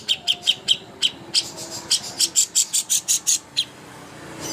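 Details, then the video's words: Cucak hijau master song for training contest birds. Spaced sharp high chips turn into a quicker series of ringing notes that end suddenly, followed by quiet. "masteran ampuh untuk burung cucak hijau Lomba"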